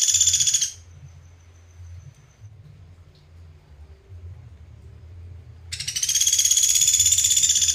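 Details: Pelatuk beras song from Sampit, used as a master recording for training songbirds: a dense, clear, rapid trill opens, fades, then a loud sustained trill returns near the end, over a low steady hum.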